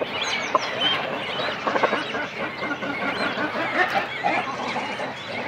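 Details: Close-up of a cormorant colony with chicks and adults on the nest. Overlapping raspy, nasal calls fill the air in a continuous jumble, with occasional higher squeals rising above the steady murmur of many birds.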